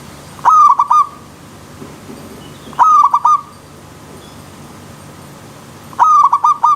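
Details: Zebra dove song repeated three times, each phrase a clipped opening note and a fast, bubbling run of soft coos, spaced roughly two and a half to three seconds apart over steady low hum.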